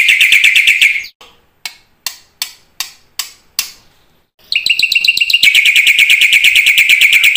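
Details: Black-winged myna singing a varied song meant to prompt other mynas to sing: a rapid chattering burst, then a row of six separate harsh clicks, then fast repeated notes that switch to a higher, buzzier series.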